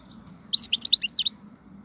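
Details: Wild European goldfinch song, 2019, played to motivate caged birds: a single rapid burst of high, jumbled twittering and buzzy notes lasting under a second, set against a steady low hum.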